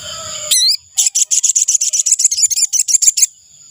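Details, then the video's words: Ashy tailorbird calls used to lure wild birds: after a short upward-sweeping squeak, a rapid, even string of high, dry chips runs for over two seconds. A steady high whine continues underneath throughout. "Suara burung sogon untuk pikat"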